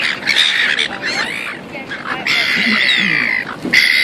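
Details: Seagulls in Auckland, New Zealand: choppy squawks at first, then one long, harsh, sustained scream lasting about a second, followed by another sharp cry.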